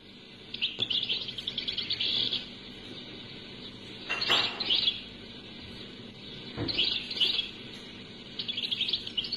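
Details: European goldfinch song, played from a cassette recording without editing, Algeria: short bursts of high twittering notes separated by pauses, with hiss and low background rumble throughout.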